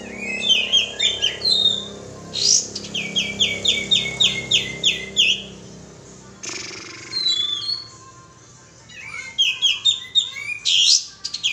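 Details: Sooty-headed bulbul calls used as a lure: fast trains of bright, even chirps repeated in runs of about three seconds, with sharp hissing bursts and a quiet gap mid-way.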